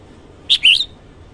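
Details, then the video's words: Red-whiskered bulbul singing in the morning, a short two-part phrase: one sharp whistled note, then a longer, smoothly slurred warble, clean against faint background hiss. "Chào mào hót sáng hay chuẩn 2020 Ko Tạp Âm"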